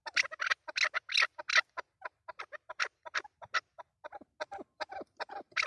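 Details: Chukar partridges giving fast, rhythmic clucks, about three notes a second. The sharp chattering notes come in uneven runs against a quiet background.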